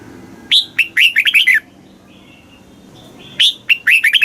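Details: Red-whiskered bulbul, Thailand, singing a southern master-pattern song meant to excite caged bulbuls and school young birds: two brisk phrases of clear, bouncing whistled notes, separated by a gap of nearly two seconds.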